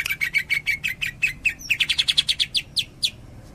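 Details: Tembakan song of a greater green leafbird: a fast series of clipped high chirps, first steady and level, then turning into sharper, rising and falling notes delivered in a rapid rattle.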